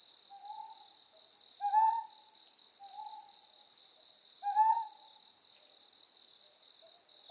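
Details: On Amami Oshima, a Ryukyu scops owl repeats brief husky hooting notes at roughly three-second intervals, softer notes between louder ones, with a constant shrill insect drone behind.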